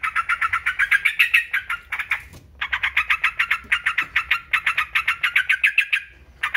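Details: Yellow-vented bulbul giving long runs of quick, bright chattering notes that rise slightly in pitch, with a brief silence midway. It is a stimulating recording for other birds.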